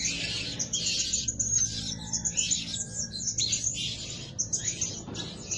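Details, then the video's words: Blue-crowned hanging parrot, a lure bird said to call day and night, giving a dense stream of high, thin chirps and squeaky notes in overlapping bursts, with a faint low hum underneath. "Denak Pemikat Burung Serindit Rajin Siang Malam Berbunyi"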